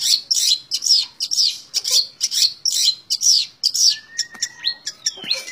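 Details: Tembak ngebren song of a long-tailed shrike: fast, strongly pulsed high notes delivered about twice a second, followed by thin drawn-out whistles and a short downward glide near the close.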